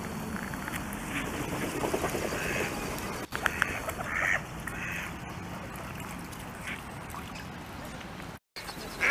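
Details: Wintering mallards on ice calling to each other before take-off: scattered hoarse quacks in short bursts, a louder quack at the very end, over constant low hiss.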